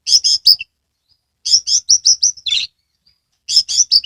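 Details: Caged Oriental magpie-robin from Kebumen, Central Java, singing hard with tail fanned open: rapid runs of high chirping, whistled notes in three bursts with brief pauses between them, fast and uneven in rhythm.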